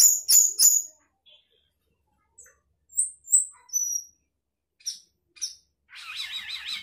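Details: Sooty-headed bulbul giving a sparse fill-in song: three sharp high chips, scattered thin whistled slurs with gaps of silence, and a closing wavering, warbled phrase.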